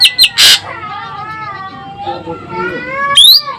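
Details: Asian glossy starling of Sumatra singing energetically: a cluster of high sharp notes and a harsh burst open the passage, soft sliding whistles follow, then one loud rising sweep at the close.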